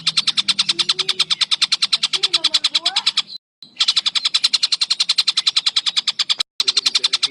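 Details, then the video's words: Collared kingfisher call used to train competition songbirds: long runs of fast, evenly spaced, harsh high notes, broken twice by short silent cuts, with faint lower sounds in the background. "Tengkek Buto Ini Cocok Untuk Masteran Cucak Ijo , Murai Batu , Kacer dan Burung Lomba Lainnya"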